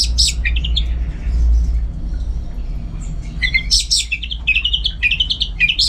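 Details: Caged orange-headed thrush from North Bali singing quick chattering phrases at the start, a pause, then a fuller run of rapid whistled and twittering notes, over a strong low hum.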